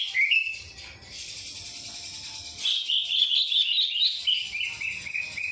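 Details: Greater green leafbird singing with a kapas tembak song filling, a continuous stream of high, bright chirps and twittering notes that rise into a denser, louder run of quick warbled phrases midway, with no other clear sounds.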